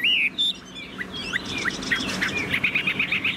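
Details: Caged tame Chinese hwamei in song: a strong opening whistle, then a brief pause before a string of short sharp upslurred notes that quicken into a rapid, even series of bright chips.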